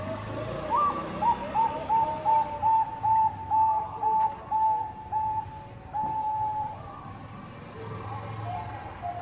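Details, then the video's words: Bangkok-type zebra dove song played to provoke rival birds into singing: after a rising opening note, a steady string of about ten short, clipped coos at a fairly high pitch, with a lower dove cooing faintly beneath and low hum. "PANCINGAN PERKUTUT BANGKOK GACOR - SUPER AMPUH, BIKIN LAWAN PADA BUNYI."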